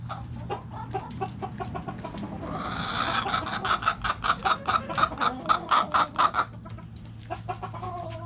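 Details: Hens clucking in a backyard chicken coop: a fast run of about twelve evenly spaced clucks in the middle, with scattered clucks before and after over a low hum.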